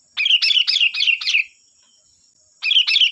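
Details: Sooty-headed bulbul singing energetically as a lure for untrained birds: a fast run of five chattering, bubbling notes, a pause, then two more, against a steady thin high tone.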